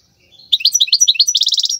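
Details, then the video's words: Brief phrase from a wild goldfinch, sung as training material for young birds: a quick series of bouncy chirps that runs into a fast, ringing trill. "تغريد الحسون البري لتدريب الفراخ"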